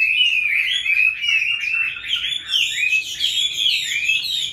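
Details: Caged Chinese hwamei, kept since wild capture and now five years on, singing a rolling, warbled run of whistled notes with no pauses.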